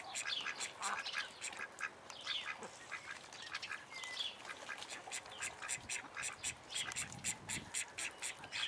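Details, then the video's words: Many call duck chicks and juveniles, kept privately in Holland, chatter in rapid high cheeps; the notes grow into a fast, evenly pulsed run of short peeps toward the end, with occasional soft low thumps. "call duck (juveniles)"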